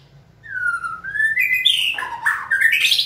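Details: White-rumped shama in training, stimulated to sing on a trainer's cue; a whistled phrase sliding upward from low to high, ending in rougher, harsher chirps.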